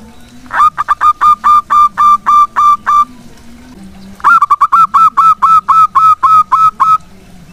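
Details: Local zebra dove in full, energetic song, used as a lure bird: two runs of hollow, cooing notes repeated rapidly, about four per second, each phrase opening with a higher note before steady even coos.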